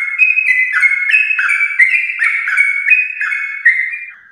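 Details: Champion-line yellow-vented bulbul in brisk 'ropel' song used to prompt home bulbuls: quick, overlapping liquid whistles with short downward slurs, tailing off at the end.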